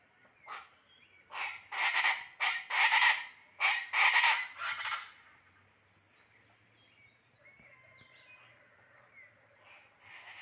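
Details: Chachalacas at dawn in vegetated countryside of vereda La Clavellina, Jamundí, Colombia, break into a raucous chorus of loud, harsh, rhythmic bursts for about four seconds, then fade to quieter distant calls and a thin high whistle.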